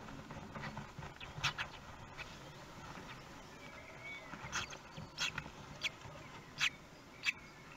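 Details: Common kestrel at a nest in Théding, France, on 24 May 2020, the day the fourth chick hatched; sharp, short calls sound in a loose series, clustered mostly in the second half, over a steady low hum.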